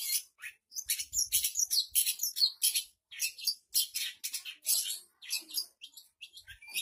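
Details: High, scratchy chatter and mixed chirps in a rapid, irregular stream from a Long-tailed Shrike, whose varied song imitates other bird species, with a few faint low knocks.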